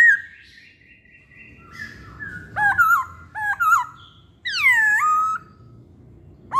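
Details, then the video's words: Masked laughingthrush: long flat whistles, then paired twisting notes and one loud, deep swooping whistle, ending on an abrupt bright note. "Pancingan Poksay Hongkong"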